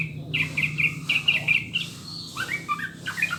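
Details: Tutor recording of a sooty-headed bulbul meant to prompt birds into song: a fast run of clear, liquid whistled notes, then looser rising and falling phrases, with a low steady hum underneath.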